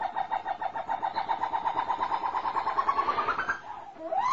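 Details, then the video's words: Captive snowcocks, caught a month and a half earlier and now starting to sing: a steady run of quick, evenly repeated mid-pitched notes that climb into a rising whistled slur, followed by another upward sweep. "snowcock کبک های دری شکار شده یکنیم ماۂ حالا به خاندن اواز امده است"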